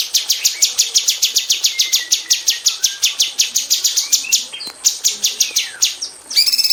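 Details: Caged female cucak cungkok bulbul in an aviary, a tutor bird for magpie robins, pouring out fast, tightly packed high chips in the 'tembakan rapat' style, with faint lower slurred whistles behind and a nasal note at the end.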